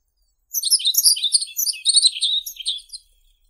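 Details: Song of the yellow-throated bunting, one rapid phrase of high, tinkling chirps and short trills running about two and a half seconds, with a faint click near the start and otherwise silence around it.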